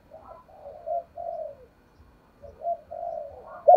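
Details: Spotted dove coo used to lure wild doves with a challenging style. Two runs of soft, drawn-out hollow coos are separated by a brief pause. A louder rounded note closes the passage.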